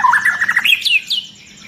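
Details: Agitated long-tailed white-rumped shama, setting other shamas singing, with dense high shooting notes: a quick whistled phrase climbing steeply in pitch, ending in sharp high slurs.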